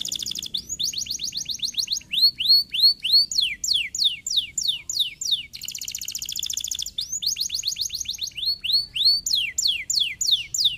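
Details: Canary song played to encourage other canaries to sing: rapid rattling trills alternate with series of upswept and down-slurred whistled notes, repeated roughly three times a second, the whole phrase cycling twice.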